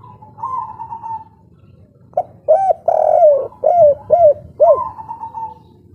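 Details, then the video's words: Local spotted dove, kuk 3 style, singing loudly with a big voice: a drawn-out low coo, then a run of about five short, hoarse, looping coos, over a steady low hum. "Derkuku kuk3 lokal gacor ngamuk suara besar"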